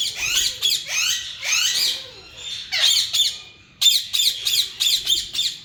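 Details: Yellow Indian ringneck parakeets, a breeding pair, give grating squawks with downward slides, then after a short lull a quicker series of sharp, repeated screeches.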